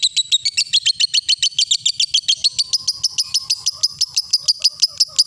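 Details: Lovebird in sustained ngekek, a recording used for training young birds: fast, even series of harsh high chattering notes forming a continuous rattle, with softer lower twittering appearing partway through.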